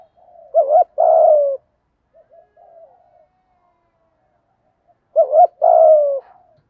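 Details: Spotted dove coo of the 'thổ' voice type, played to excite wild doves: two phrases about four and a half seconds apart, each a quick wobbling note then a drawn-out falling coo, with soft faint notes in between.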